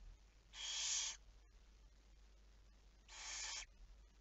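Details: Two drawn-out, noisy hissing screeches from a barn owl, roughly two and a half seconds apart, logged at 23:34 on 11 May 2019 over a quiet background hum.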